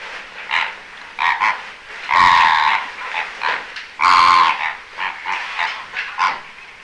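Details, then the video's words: Greater flamingo flock with immatures, winter, Aiguamolls Natural Park, Spain, 25 January 2022: a busy gabble of short nasal honks, roughly every two seconds, punctuated by two loud drawn-out goose-like calls, with a constant background of other flamingos. "FLAMANT Rose/Immature/Hiver/Cris"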